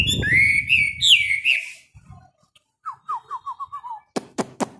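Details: Caged Chinese hwamei during daily morning song practice: a rich whistled phrase rising and wavering, then a run of short, descending whistled notes, ending with a few sharp clicks, over a low rumble.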